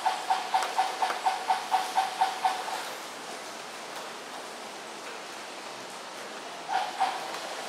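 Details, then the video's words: Pied imperial pigeon in Singapore at 7:01 pm on 10 February 2022 gives a quick run of about nine hollow, even notes, roughly three per second, then two more a few seconds later, over steady background hiss. "DOVES _ Pied Imperial Pigeons 斑皇鸠"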